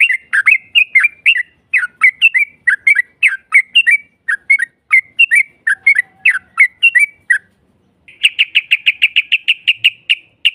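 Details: Yellow-vented bulbul lure song in long 'ropel' style to goad a rival into answering: repeated bubbly slurred phrases, a brief pause, then a fast, even burst of quick bright notes.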